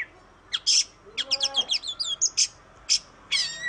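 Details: Oriental magpie-robin, known in Indonesia as kacer, black-and-white songbird; melodious song of sharp buzzy bursts and quick descending chirp series, with brief pauses between phrases.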